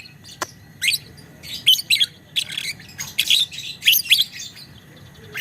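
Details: Biola lovebird in ngekek chatter. Scattered, scratchy high chirps and short harsh bursts come at an uneven pace, over a constant low hum.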